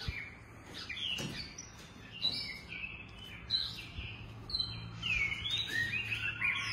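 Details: Captive long-tailed white-rumped shama from a breeding collection delivering a high varied song: short whistles, buzzy slurred phrases and upward-sweeping notes, becoming denser and brighter toward the close, against a faint low hum.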